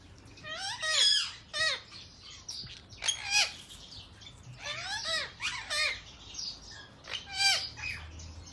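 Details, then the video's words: Indian ringneck parakeets in yellow, blue, white and grey colour forms at feeding time; loud harsh downslurred squawks at irregular intervals, some overlapping. "ringneck parrot feed time - parrot sounds"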